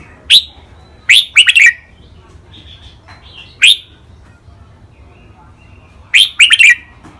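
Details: Two caged red-whiskered bulbuls used as training song, with song styles called len rik, boen, lak wai, mae bot and nap dok: short loud bubbly whistled phrases in bursts of three notes, separated by quiet gaps, with faint chatter between.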